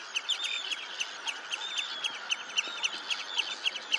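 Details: Red-necked phalaropes calling at Olafsvik in Iceland on 15 June 2024, with quick, sharp, high chirps repeated several times a second over a steady background hiss.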